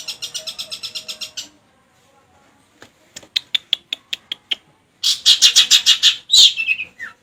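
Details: Long-tailed shrike singing with lovebird song imitations: bursts of harsh buzzy rapid chatter repeated quickly, interspersed with short sharp clicks and a few high slurred whistles near the end.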